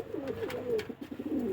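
A pigeon gives soft, low cooing notes that swell and fade in a throaty, rolling pattern.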